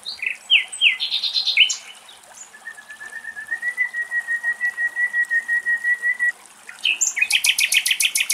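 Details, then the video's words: Nightingale song recorded in the wetland of Axios Delta National Park, Thessaloniki, Greece: a few quick chirping phrases, then a long, pure, steady whistle held for several seconds and rising slightly, ending in a fast, loud, dry rattle of repeated notes. "Αηδόνια Κελάηδημα - Little Stint bird and Nightingales song"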